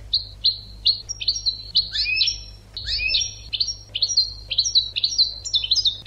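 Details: Continuous bright twittering of a European goldfinch meant for training birds: a dense stream of rapid whistled and buzzy notes, with some sliding down toward lower pitch.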